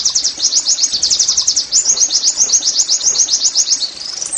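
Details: Oriental white-eye in steady song, meant to encourage caged birds to sing: a continuous fast trill of high, sharp repeated notes, ending with a brief rising whistle.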